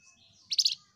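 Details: Flamboyan bird singing vigorously, a single short burst of high, dense chirping notes lasting about a quarter second, set against a quiet background.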